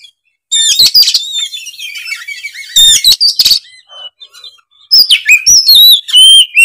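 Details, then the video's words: Kacer, an oriental magpie-robin, in energetic full song: loud bursts of shrill whistles, trills and scratchy notes, broken by a quieter stretch of soft, thin warbling before another rush of bright, rising phrases. "Kicauan kacer gacor emosi bongkar isian sekali putar langsung nyaut"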